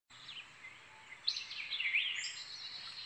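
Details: Indigo bunting (Passerina cyanea), song.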